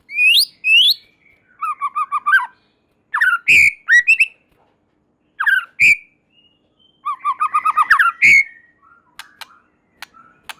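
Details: White-rumped shama singing vigorously, a song said to make other shamas join in: high rising whistles, fast repeated chattering note series and sharp clicks in loud bursts with short pauses.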